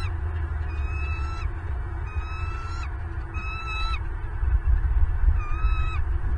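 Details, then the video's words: Wild bald eagles on a Southwest Florida nest, 8 December 2022, 09:32: four high chattering calls roughly a second apart, each ending in a slight upward slide, with rumbling low noise growing louder near the end. "SWFL Bald Eagles"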